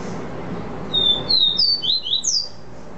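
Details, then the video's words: Caboclinho (seedeater) singing the vi vi ti song style: a quick run of six or so clear, high whistled notes, some slurred downward, some rising, delivered over about a second and a half with a faint background hum. "CABOCLINHO VI VI TI"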